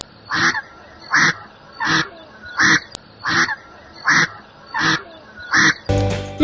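Indian spot-billed duck giving loud, harsh quacks, about eight evenly spaced calls just under a second apart, followed by a brief burst of music at the end.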